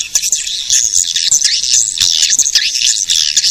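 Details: Calls of edible-nest swiftlets used to draw swiftlets in, a continuous crowded high-pitched twittering of many chirps with clicks scattered through.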